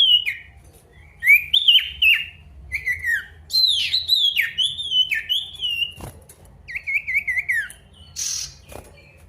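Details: Male pied bush chat singing to call a rival, played to coax silent birds into song. Varied whistled phrases with dipping, sliding notes, a sharp click midway and a trilled, wavering phrase near the end.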